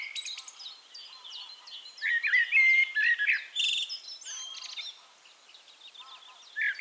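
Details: Singing Eurasian Blackbird in Castricum, the Netherlands, delivering a loud mellow warbling phrase in the middle, surrounded by high thin twitters and trills from other birds, with a quieter pause before a final fluty note.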